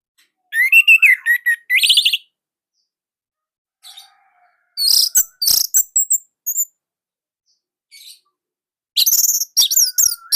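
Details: Loud, tightly delivered song of an Indonesian Orange-headed thrush, used to coax other thrushes into singing. Scattered bursts of rapid chirps and slurred whistles are split by pauses, with faint short notes in between.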